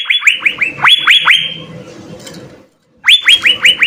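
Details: Blue-winged leafbird singing in the jamtrok style with ngekek bursts, used as a model song for training other birds: loud series of rapid upswept ringing notes, some doubled, a pause, then another burst; faint background hum.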